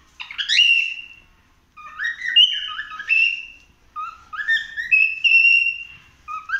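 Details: Indoors, a cockatiel exploring the house sings clear melodic whistles that rise and fall, repeated phrase after phrase with short gaps, some notes sliding upward and held, very little background noise.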